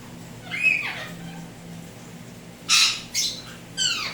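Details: Tame pet Indian ringneck parrots, turquoise blue and turquoise blue harlequin, giving a few harsh, shrill squawks: one rising note, then three loud screechy calls in quick succession, indoors with low background hum.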